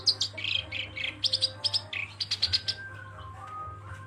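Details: Black-browed reed warbler song: rapid chattering bursts of harsh, buzzy notes and short trills, clustered in quick runs with brief pauses, over a steady low hum and a faint thin whistle in the background.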